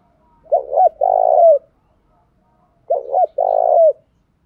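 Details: A decoy spotted dove calls in the morning to lure and provoke wild males, giving two identical low phrases about two and a half seconds apart, each a short doubled coo followed by a longer, throaty, drawn-out coo; quiet background.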